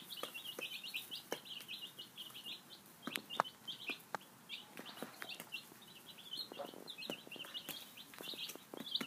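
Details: Five-day-old chicks at breakfast and play, giving busy high peeping chirps throughout, punctuated by frequent pecking taps and clicks.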